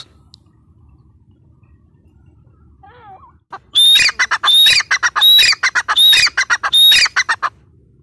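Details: Female grey francolin (teetar): after a quiet start with a faint wavering whistle, a loud burst of rapid, harsh squawking notes with a thin whistled tone, repeated in clusters for about four seconds.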